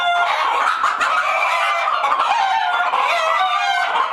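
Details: Uneasy hens in their coop making a loud unbroken din: overlapping drawn-out wailing squawks and quick clucks from many birds at once.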